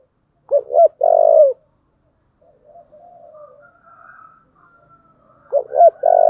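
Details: A spotted dove with the "thổ" voice gives its competition-spurring coo: two hooked notes and a long drawn coo. A softer, lower-level cooing wanders through the middle, and the loud phrase starts again near the end.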